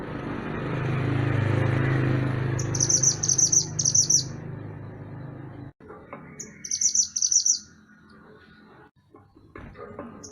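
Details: Lively mantenan gunung, a songbird, recorded as master material for training songbirds, delivers two bursts of rapid, very high, tinkling chirps, each about a second long, first over a loud low hum, then with quieter faint sounds.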